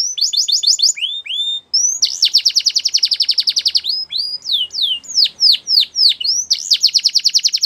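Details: Male canary singing: fast repeated trills of bright whistled notes, sweeping rolls and downward slurs, bursts changing pitch and pace every second or so, with no other sounds.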